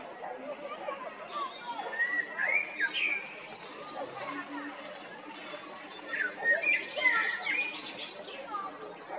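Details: Male common blackbird recorded in April and May 2022 at Jarun and Prečko in Zagreb, Croatia: fluting, warbled phrases in two bursts, rising and falling whistles with twittering tails, over a busy chorus of other birds and background murmur.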